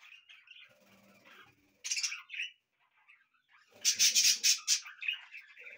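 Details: Budgies kept as pets sing inside a house, mixing a continuous scratchy warble with bursts of loud harsh squawks, including a rapid run of about six rasping notes near the end.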